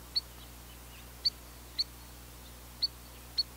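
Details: Sharp, high single peeps from a spotted sandpiper, five notes at uneven intervals over quiet background hum.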